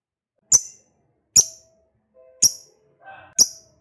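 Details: A fighter lovebird's ngekek, played to provoke other lovebirds into calling: four piercing, very high shrieks spaced roughly one second apart, with faint low tonal notes and a soft chatter between them.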